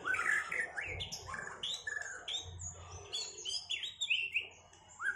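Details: White-rumped shama duel after the moult, for regaining performance: quick, varied chirps and slurred whistles with scattered high notes, fairly quiet, over a low rumbling hum.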